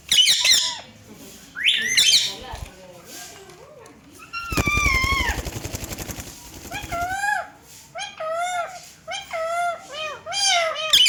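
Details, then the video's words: Indian green ringneck parakeets talking together before a mirror; sharp squeaky phrases, then a harsh rattling burst midway, followed by a run of repeated arched, nasal speech-like syllables. "Talking Ringnecks Family Together // Parrots Talking In Mirror"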